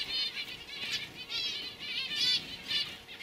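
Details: Young canaries from 2015 giving soft high trilled warbles in short pulses roughly every half second, fairly quiet overall.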